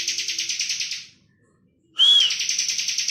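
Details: Bar-winged prinia singing in full ngebren style as a master recording for songbirds. A pulsing buzzy trill fades out, silence follows for nearly a second, then a fresh whistled note launches another rattling buzz.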